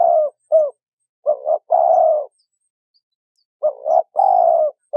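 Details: Male and female spotted doves calling, used to lure and stimulate wild-caught birds: deep, mellow coos in short phrases, a couple of brief notes followed by a longer drawn-out coo, repeated after a pause in near silence.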